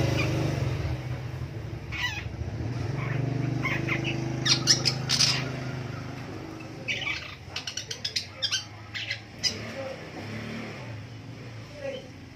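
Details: Long-tailed shrike calling in the morning: harsh, scratchy squawks, then a quick run of short chattering notes, over a steady low hum.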